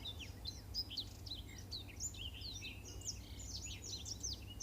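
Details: Canary tutor song of a Black-throated canary: dense, quick high-pitched notes, upslurred and downslurred, delivered without pause over a constant low hum.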